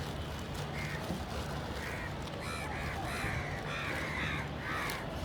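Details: Crows (kak pakhi, kauwa) giving short harsh caws, sparse at first, then a quicker run of rasping notes in the second half over a steady low hum.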